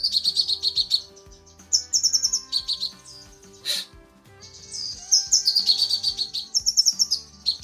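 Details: Cucak kinoi female calling to a male, recorded as a tutor track for birds: bursts of high, rapid chattering chirps separated by short pauses, with a brief click midway.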